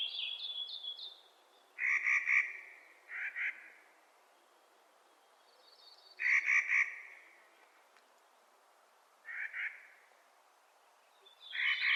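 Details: Clark's nutcracker in spring gives harsh, grating, nasal kraa calls in short bursts every few seconds, with thin high whistled notes from another bird in between.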